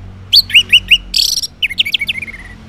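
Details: Morning song of an orange-headed thrush, ngeplong style, meant to prompt silent males to reply: four rising whistled notes, then a harsh buzzy burst, then a rapid run of sharp chirps ending in a fading whistle.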